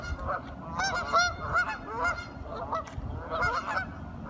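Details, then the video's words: Several curious ducks chattering, with rapid nasal quacks and honks running on almost continuously, some notes bending upward. "Duck Sounds - Curious ducks talking"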